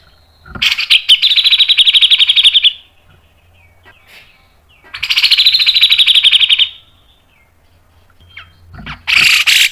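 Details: Grey-cheeked bulbul (cucak jenggot) mbeset ngepik nembak panjang song: long dense rattles of rapid scratchy notes, each nearly two seconds, repeated with pauses.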